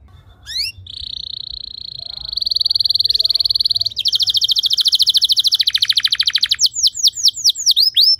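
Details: Canary song meant to train other canaries to sing. Opens with a long steady whistled tone, shifts into a dense high buzzing trill, then a rolling rattle and finally spaced, curving chirps.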